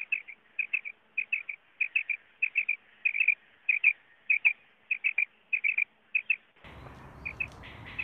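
A common quail gives its liquid three-note 'wet-my-lips' call, high and clipped, repeated roughly every half second; a burst of rough noise cuts in near the end.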